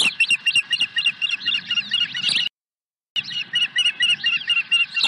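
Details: Osprey calling at its nest on 23 April 2020 as it swoops in with a second fish: an insistent string of sharp, high whistled cheeps, several each second, broken by a brief silent gap before resuming.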